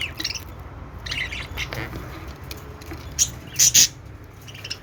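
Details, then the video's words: Several pet budgies, Australian parrots, making happy sounds: soft scattered chirps and chattering notes, then a burst of sharp, loud squawks toward the end over a low steady hum. "cute budgies making happy sound"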